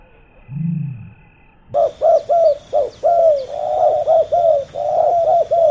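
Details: Male spotted doves, a fiercely competing pair in a ground decoy session: a low brief sound, then a quick run of hoarse, bubbling mid-pitched coos in close succession, with faint high chirps of small birds behind.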